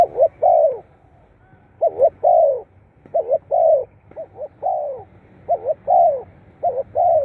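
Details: Spotted dove, a recording used to prompt kept birds to start calling. Continuous soft coos in rapid phrases: two short rising-falling notes, then a drawn-out descending coo, about six phrases in seven seconds over a quiet background.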